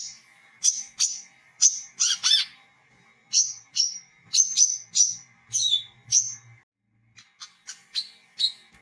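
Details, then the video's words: Olive-backed sunbird calling gacor in ngriwik and ngecret styles, used as a lure to draw other sunbirds; bright, high tweets come one after another at a brisk pace, a short pause, then quieter chirps, over a steady hum. "SUARA BURUNG WICEH !!{KOLIBRI KELAPA GACOR} NGRIWIK NGECRET BELAJAR NGEPLONG"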